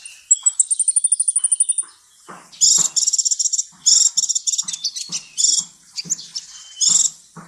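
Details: Sunbird song used as a tutor recording: opens with a fast, even trill of thin, very high notes, a pause, then bursts of scratchy, high-pitched chattering and twitters.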